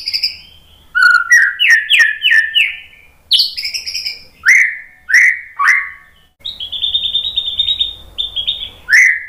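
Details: White-rumped shama in full song, used to provoke other shamas into singing. Bright whistles and repeated slurred notes alternate with sharp ticks, ending with a run of steady high trilled whistles and a final downslur.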